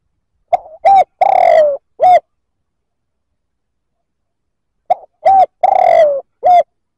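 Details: Spotted dove cooing to provoke other males: a four-note phrase of short hollow coos, a long wavering middle note sliding downward, then a final clipped coo, given twice with a long pause between.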